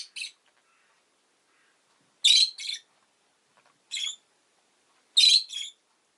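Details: Pet rosy-faced lovebird chirping: loud, harsh, high double chirps in bursts, a pair roughly every one to three seconds, with short quiet gaps and little background noise.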